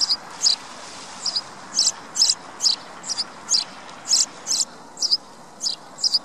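Sparrows chirping, with short high chirps repeated about twice a second at an uneven pace, over a steady background hiss.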